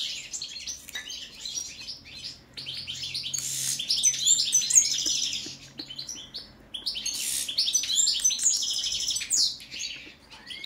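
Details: European goldfinch, subspecies balcanica, in a song check: two long bouts of rapid twittering and tinkling trills with buzzy, rasping passages, separated by a quieter stretch of scattered chirps.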